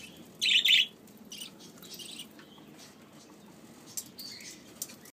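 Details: A budgerigar chick begging for food gives one loud, raspy, high-pitched begging burst, followed by several fainter wheezy chirps over a quiet background.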